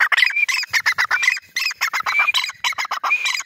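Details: Loud, rapid, squawky bursts from a grey francolin (teetar), about four harsh notes a second, some topped by a high thin whistle, continuing without pause.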